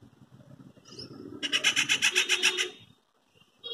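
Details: A loud, metallic treepie call in a quiet afternoon as the bird shifts between branches: a one-second grating rattle of roughly nine fast pulses, preceded by a faint high whistle.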